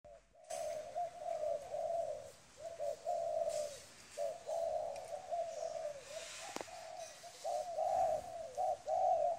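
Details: Spotted dove, a wild-caught adult, cooing in soft, low, rounded phrases, each a short run of linked coos repeated about every one to two seconds, with a faint background hiss.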